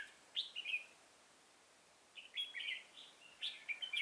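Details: Red-whiskered bulbul singing during bulbul trapping with a decoy bird, recorded 24 September 2018 while targeting an old wild bird; three short bright warbled phrases with quick rising and falling notes, separated by quiet pauses.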